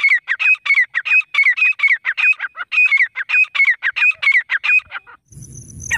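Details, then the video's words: Wild grey francolin in full cry, a fast rhythmic run of shrill, rasping notes repeated about twice per second without a break, ending in a sudden burst of handling noise. "जंगली देशी तीतर की आवाज।The sound of a wild native pheasant | partridge calling"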